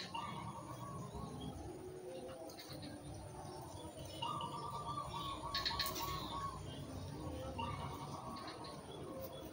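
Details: Singing white zebra dove, whose cooing is meant to rouse breeding desire in listeners: two soft rolling coo phrases heard through steady background hiss and hum.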